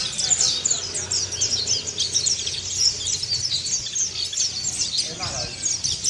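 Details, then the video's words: Continuous 'ngeriwik sambung' twitter of a Kelud mountain white-eye, played to train birds to open their beaks: busy overlapping high chirps and quick slurred notes, steady throughout, with a brief lower sound near the end. "PLECI DAKUN KELUD NGERIWIK SAMBUNG BUKA PARUH"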